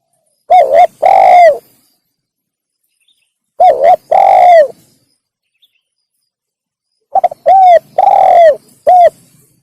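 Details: Spotted dove calls played to lure wild doves: three loud cooing phrases, each a short double note followed by a longer drawn-out coo, spaced about three seconds apart in silence.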